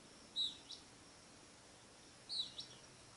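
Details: Greenish elaenia calling: two brief high sharp notes roughly two seconds apart, each followed by a fainter short note, against low steady hiss with no other clear sounds.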